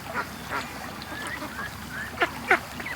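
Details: Morning rush of ducks out of their pen toward the lake; soft scattered quacks are followed by two loud, abrupt, harsh quacks near the end, over constant background noise.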